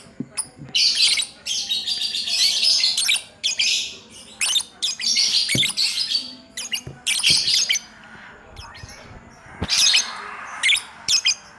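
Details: Lovebird kept as a hobby, singing in ngacor style; loud scratchy high chatter in long bursts with squeaky chirps, then quieter scattered notes near the end.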